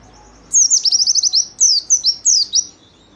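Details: White-eye song used to lure and train caged birds: a quick run of very high, thin downslurred notes rolling into a rapid chattering trill, then three separate sharp descending chirps, clean and without other sounds.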